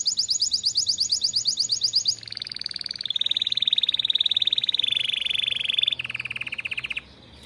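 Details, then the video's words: Canary in a breeder's canary room singing a rapid high trill, then several lower rolled trills in steps, with faint background hiss. "O CANTO desse CANÁRIO,vai esquentar seus filhotes"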